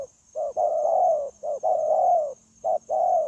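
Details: Spotted dove, newly caught from the wild and used in trapping, cooing in a smooth continuous style on 9 January 2024. Two full phrases of a short note followed by a long, wavering low coo, then a third begins.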